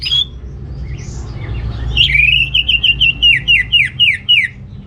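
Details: Orange-headed thrush, a lure for males short of breeding drive: a lone whistle, a pause, then a quick rhythmic series of about a dozen short descending slurred notes, delivered several per second.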